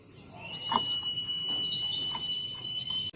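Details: Oriental white-eye in full song, used to provoke other white-eyes into answering: a dense run of high, thin twittering phrases that wander up and down, over a steady high whine and faint low knocks.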